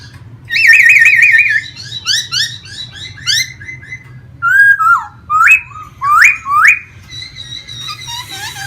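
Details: Vietnamese pet laughingthrush singing and fanning out in a dance display, in a cage. A rapid trilled warble gives way to varied whistles, then a series of sharply rising, upswept notes spaced under a second apart.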